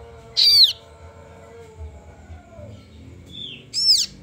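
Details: Kaso kaso bird chick calling: two loud high harsh downward-sweeping screeches about three seconds apart, with a short fainter squeal just before the second, over quiet low background noise.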